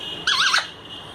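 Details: Talking parrot that speaks Hindi; one brief, loud, harsh squeal with a wavering pitch lasting about a third of a second, over a steady background hum.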